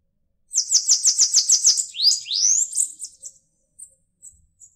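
Bananaquit song: a fast run of about nine thin, buzzy high notes, then a couple of wheezy upward sweeps and a few faint ticking notes.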